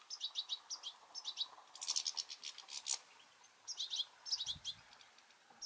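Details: European goldfinches, juveniles among them, squabbling over a two-port garden seed feeder; rapid high twittering chirps come in quick bursts of several notes with short pauses, and a brief low thump sounds near the end.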